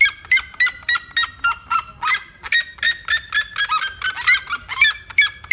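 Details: Red-legged seriema song: a rapid, loud run of harsh yelping notes, roughly three or four each second, rich in overtones. The pitch slides down across the series and then climbs again, with a quiet low rumble beneath.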